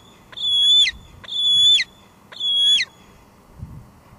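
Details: A female bald eagle squees repeatedly at the nest, Two Harbors, July 2022, evening, via live cam: three long shrill whistles roughly once a second, each ending in a falling slur, then a soft thud.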